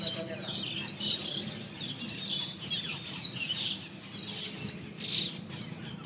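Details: Asian glossy starlings gathered in large numbers at their leafy overnight roost tree, early morning after dawn prayer; a continuous chatter of sharp high whistled notes and chips from many birds, light low-frequency background noise.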